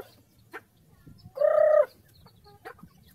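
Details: Farm chickens, happy while eating food. A single loud, steady nasal note lasting about half a second stands out midway, with soft, brief clucks scattered before and after it.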